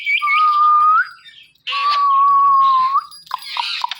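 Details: Pet Indian ringneck parakeet whistling two long steady tones, each ending in a slight upturn, followed by a harsh raspy squawk.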